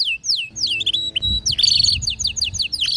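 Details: Canary kept indoors, female calling to mate as a male sings; series of clear downward-sweeping whistles, then dense buzzy trills and more falling slurred notes, with low background noise.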